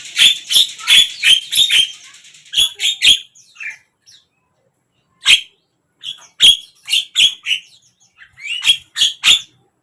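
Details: Javan myna song from morning, midday and evening: a quick opening string of sharp, clicky squawks, then scattered single harsh notes and small clusters separated by gaps of silence.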